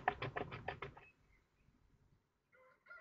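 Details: Kestrels changing over on eggs at a Théding nest, 2 May 2024, in incubation season; a rapid series of about six harsh, clipped notes within one second, quiet pause, then two short nasal whines.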